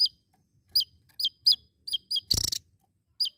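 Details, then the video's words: Javan tesia singing actively: short, high, sharp chirps, each falling quickly in pitch, given singly or in quick pairs at uneven gaps of a quarter to half a second, with a brief broadband rattling burst near the middle. "Burung Tesia Jawa Gacor"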